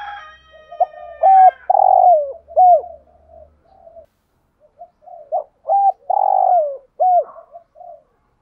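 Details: Cooing lure call of a spotted dove, used to attract wild doves in the thúc gù and gáy gọi style. Two rolling phrases of coo, long croo and coo are heard, with softer murmuring in between.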